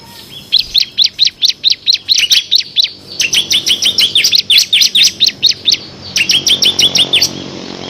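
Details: Bar-winged prinia (ciblek kristal) in vigorous ngebren song with six fill variations, a master recording for competition birds: long rapid volleys of sharp high chirps in three bursts, almost without gaps.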